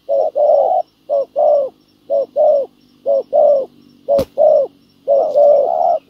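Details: Spotted doves, a ground decoy bird used in trapping and a wild dove answering, cooing: short low note followed by a longer hollow coo, pairs repeated about once a second, with one sharp click.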